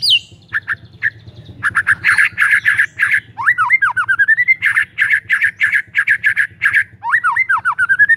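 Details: White-rumped shama in full, vigorous song, used as a lure to get silent shamas singing: a long varied run of rapid repeated chattering notes, sweeping whistled slurs and quick trills over a steady low hum.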